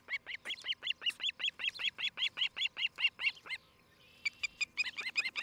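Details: Osprey calling at a nest near Charlo, Montana; a steady, fast run of loud piercing whistled yelps, nearly three per second, a brief pause, then the shrill chirps resume.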